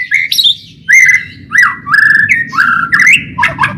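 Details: White-rumped shama singing busily in a tutoring and luring recording: a series of clear whistled phrases, each slurring downward, given almost every half second, with a faint low hum behind.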